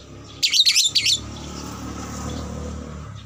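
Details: Lovebird sound used to trigger long chattering in fighter lovebirds: a brief burst of about five harsh high chirps in under a second, then steady background hum and traffic-like noise.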